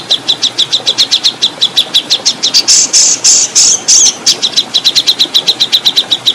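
Oriental magpie-robin singing a fast series of high, sharp notes, about eight a second, broken midway by harsher, buzzy phrases.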